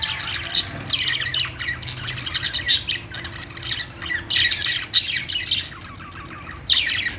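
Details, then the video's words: Budgies singing in a steady stream of twittering, buzzy chirps and brief squeaks, with short pauses between louder bursts. "budgie singing | budgie sounds"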